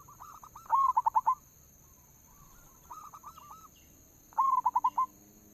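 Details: Lure song of a local zebra dove, three bursts of rapid rolling coos, the first and last loud with five or six pulses each, a softer middle phrase, over a constant high-pitched hum.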